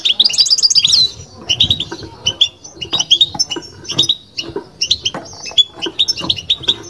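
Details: European goldfinch, a kept bird, opens with a fast rattling trill, then continues batbata-style song of scattered high tinkling chirps and twitters, with occasional low background knocks.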